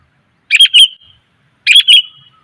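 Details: Calling female sooty-headed bulbul used to lure males: two rich chirpy phrases about a second apart, each of two or three warbled notes trailing into a brief whistled tail.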